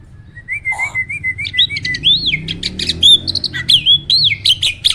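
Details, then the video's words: A loud, lively song from a champion contest starling (jalak isian) kept in a cage: wavering, warbled whistles sweeping up and down, then rapid piercing chips and rolling phrases, in the Roll, Tembak, Speed style. "Burung jalak isian ISTIMEWAH!! selalu JUARA || Gacornya bukan main."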